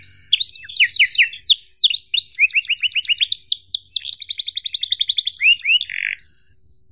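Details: Young canaries learn from this long canary tutor song: quick chirps and down-slurred sweeps building into an even rapid trill, a buzzy note, then a final clear whistle.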